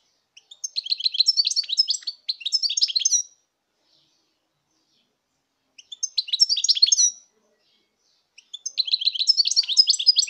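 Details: High, fast goldfinch song recorded in 2019: three extended runs of tinkling, buzzy twitters strung rapidly together, each run about two seconds long, divided by silent gaps.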